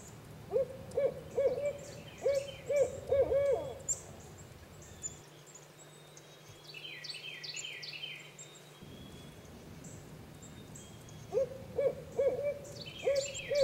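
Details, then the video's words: Wild Barred Owls in their nesting territory in Eastern Massachusetts; a hooting owl heard from a distance, other creatures proceeding with caution. Low rhythmic hoots in quick bursts, a pause with faint high bird chirps, then hooting resumes. "but still proceed with great caution when they hear the hoot of an owl coming from the distance."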